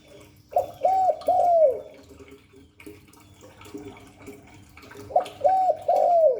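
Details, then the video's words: Spotted dove with the Hạp Bổi 38 voice style, cooing in a full calling routine: a bright three-note phrase of arched hooting coos, a quieter stretch of soft murmurs, then another three-note phrase with the last note drawn out and falling. "Tiếng chim cu gáy Giọng Hạp Bổi 38. Đủ bài THúc GÁY GỌI - GÙ HAY Kích Bổi Nhanh Nổi, Cu đất gáy"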